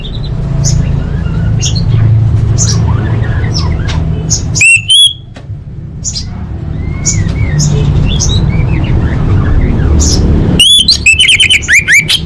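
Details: Female orange-headed thrush calling to males, used to lure silent birds into singing. A loud burst of high, ringing whistled notes comes near the middle, then a fast run of sharp slurred whistles at the end. Scattered faint chirps sit over a constant low hum.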